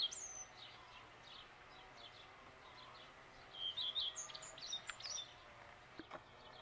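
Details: Common redstart singing at dawn: a short burst of high, clear whistled and twittering notes in the middle, with fainter high chirps from other birds earlier and a sharp click near the end.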